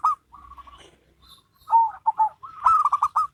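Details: Local and crossbred zebra doves duetting. A brief coo and a soft row of notes lead into a stuttering coo phrase, then a loud, fast rolling burst.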